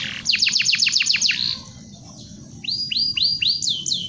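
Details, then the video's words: Canary tutor song for training birds: a quick series of steep falling whistles, a short pause, then a run of high looping upslurred notes repeated about every third of a second. "SUARA BURUNG KENARI‼ YANG MUNngkin ANDA CARI UNTUK MASTERAN"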